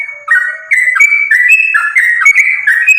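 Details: Sooty-headed bulbul in full fighting song, offered as a lure to prompt bulbuls to answer: a soft low note, then dense chains of bright whistled notes stepping up and down in quick succession.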